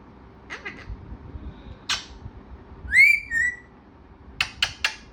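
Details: A talking parrot gives soft clicks, one harsh burst, then a clear rising-falling whistled phrase, and ends with three quick sharp clicks.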